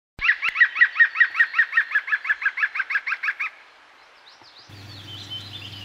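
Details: A European green woodpecker drinking and bathing, recorded from behind a window, gives a ringing laughing series of about fifteen rapid, even notes that fade slightly toward the end. Faint rustling and a low hum follow.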